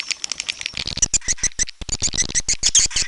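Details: Edible-nest swiftlet, red-nest type, calling: a rapid run of dry clicks and short buzzy chirps. They start sparse and thicken into dense high twittering after the first second.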